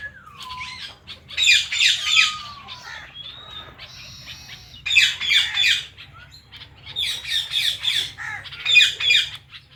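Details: An Indian ringneck parrot kept with a blue ringneck companion gives four bursts of harsh, grating squawks, mixed with a few short whistled notes that slide down or up, against an otherwise quiet background.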